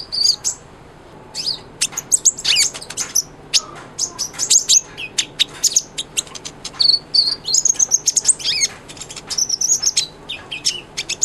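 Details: Energetic song of a kolibri ninja sunbird, meant for tutoring white-rumped shamas: dense, twittering strings of very high, sharp chips and short slurred whistles running almost without pause.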